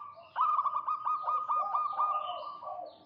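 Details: A local zebra dove sings actively, its call meant to draw out a rival. One long phrase of quick, stuttered coo notes holds an even pitch and then fades, over a faint background hiss.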